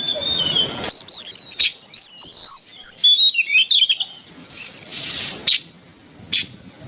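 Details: Oriental magpie-robin (kacer) song used as training material for songbirds: long flowing sequence of varied whistles, thin high sustained notes and rapid twittering, then quieter scattered chips over a soft hiss.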